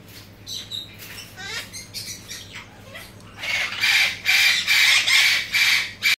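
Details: Ringed Galah (Eolophus roseicapilla) giving loud, harsh, grating screeches, about two a second, after a few softer chirps at the start.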